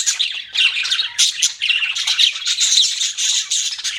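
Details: Pet budgerigars chatter nonstop in a dense, shrill warble of squeaks and buzzy chirps.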